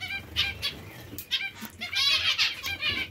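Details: Hungry zebra finches give harsh, nasal begging calls in short bursts, rising and falling in loudness, with a faint low hum underneath.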